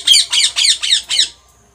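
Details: Pet Indian ringneck parakeet screeching: five loud, raspy, evenly spaced squawks in just over a second, each harsh and buzzy, ending abruptly into quiet.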